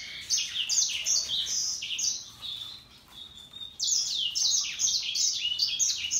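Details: Russian yellow and Timbrado canaries singing happily: rapid, bright warbling built from quick downward-sweeping high notes in dense bursts, a softer lull near the middle, then a loud renewed flurry of chirps.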